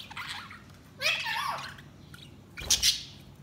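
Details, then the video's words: Budgies giving a sudden burst of scratchy warbled chirps, then a pause and two sharp clicking knocks. "Budgies Sounds| Budgies Chirping sound"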